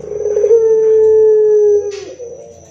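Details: Barbary dove singing loudly as a lure for other doves: a burry start flows into one smooth, level hollow coo held over a second, then a brief hiss and a softer low trailing note.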